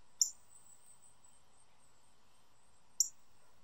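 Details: A bright red male Northern Cardinal in a backyard gives two sharp, high, metallic chips about three seconds apart, over a faint steady high hiss in the background.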